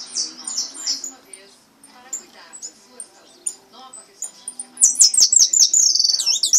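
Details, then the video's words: Pardo goldfinch singing a repique; scattered high thin notes, then from about five seconds a fast, loud run of high, buzzy repeated notes about three per second to the end. "Jilguero pardo repique 3"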